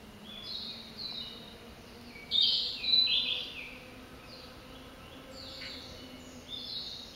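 A Narcissus flycatcher sings a brief burst of bright, high chirping notes, with fainter phrases around it over steady background hiss.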